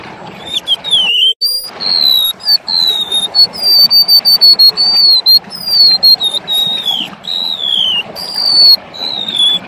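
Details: Golden-bellied gerygone in full, lively song, offered as a lure and tutor recording: thin, clear whistled phrases, each sliding gently downward, repeated steadily with brief pauses, over a soft murmur of background noise.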